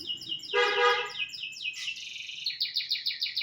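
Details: Canary song meant as a master recording for teaching other birds: a brief harsh buzzy burst followed by fast rolling trills of high, sharp repeated notes, shifting pitch from phrase to phrase.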